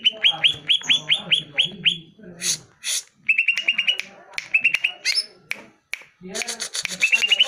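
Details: Greater green leafbird lure song to make caged birds answer: quick series of bright rising whistled notes, interrupted by harsh scratchy bursts, then more rapid whistle runs and a chattering close.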